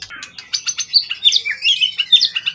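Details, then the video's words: Forest-origin competition bird, tail beyond 20 cm, calm after long care; a short burst of quick high chips running into loud looping whistles and trills. "Burung event ori hutan ekor 20cm up lg on banget prestasi burung hutan gk giras ya rawatan lama"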